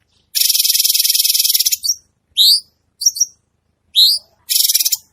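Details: Gacor cucak cungkok bulbul: a long loud buzzy rattling trill, followed by separate rising whistled notes and a double note, then the rattling trill returns.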